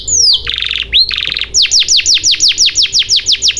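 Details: Canary song played as a lure for canaries that have stopped singing: a falling whistle, two short buzzy rattles split by an upslur, then a steady series of sharp descending notes repeated about four times a second.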